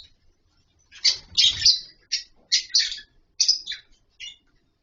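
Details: Colony of captive lovebirds in wooden nest boxes and mud bowls, calling while eating and playing: a lively string of shrill, buzzy chirps in quick irregular bursts, some overlapping, with faint low thumps.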